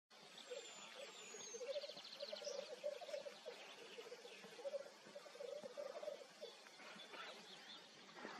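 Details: Displaying male black grouse at a lek in Upper Bavaria, 2023, give a low, continuous, dove-like bubbling chorus in pulsing waves, with a few thin high whistles from other birds early on.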